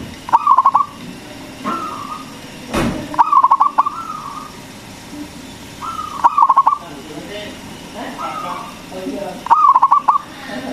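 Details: Local zebra dove with a loud voice, used to lure other doves and raise their mating drive. Four rhythmic bursts of rapid pulsed cooing, about every three seconds, with softer coos between them and one dull thump.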